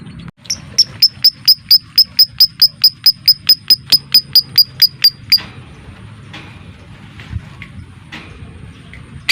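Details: Lovebird in the ngetik style, a training lure meant to make lovebirds sing and mate: about twenty sharp, high, evenly spaced ticks, roughly four to five a second, then scattered softer chirps over low background hum.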